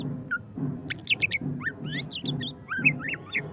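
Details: Murai batu pastol, the white-rumped shama, giving ngeriwik-style song: clear looping whistles, quick upslurred and downslurred notes and bright chirps in varied bursts, with a recurring low pulsing rumble underneath.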